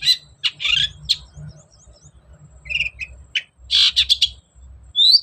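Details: Long-tailed shrike, recorded as a lure for a bird that will not sing: a varied medley of harsh scratchy bursts, faint thin whistles, low chatter, and a final rising high whistle.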